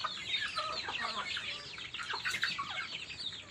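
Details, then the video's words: Many chicks eating, filling the air with continuous overlapping thin, descending peeps at a steady rapid pace. "HUNI NG MANOK HABANG KUMAKAIN, CHICKEN SOUND EFFECT"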